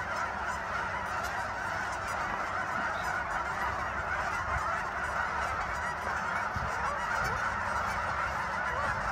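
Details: Massed geese at Sunset Lake, Guymon, Oklahoma, honking all together in a thick, continuous clamour of overlapping calls.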